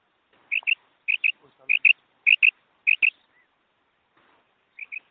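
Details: Calling female quail for a hunting lure: five crisp double notes in quick succession, then a pause and one more pair, with faint soft rustling between them.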